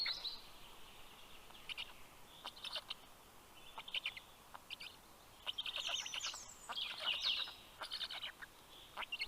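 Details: Black stork chicks at a nest in Karula National Park, southern Estonia, greet the adult male arriving with fish at 11:00 am on 11 June 2023; hoarse, hissing bursts repeat in uneven runs, with faint whistles from other birds.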